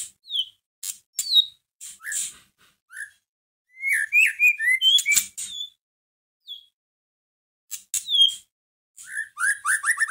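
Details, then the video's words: Provoking song of a white-rumped shama for a caged bird: varied clear whistles, sharp clicks and downslurred notes in irregular bursts, ending with a quick series of repeated rising whistles. "Pancingan masteran pendongkrak emosi murai batu"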